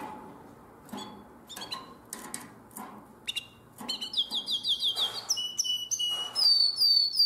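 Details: Nightingale-voiced style canary song, recorded in Drama, 2017: after scattered clicks and faint notes, a fast run of sharp repeated chirps begins, rising into bright high whistled phrases by the end.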